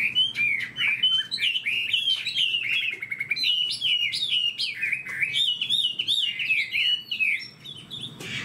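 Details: Rich varied song of a caged Chinese hwamei with a fanned tail: fast whistled phrases twisting up and down, interspersed with sharp clicky notes, continuing almost without a break.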